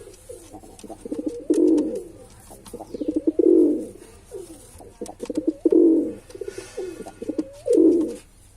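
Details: Male pigeon giving a steady series of deep coos, about one every two seconds, each a burst of rapid pulses rising into a full throaty roll, with occasional faint clicks in the background.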